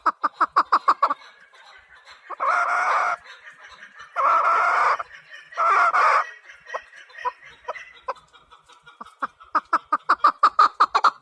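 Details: Chukar partridge giving rapid runs of clipped chuk notes at the start and end, broken in the middle by three loud, broad, rushing bursts about a second long.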